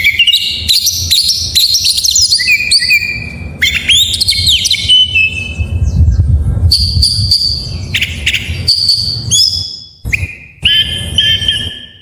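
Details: White-rumped shama song with varied phrases, used to get reluctant shamas singing: a long stream of mixed whistles, slurs, buzzy bits and steady high notes with brief pauses.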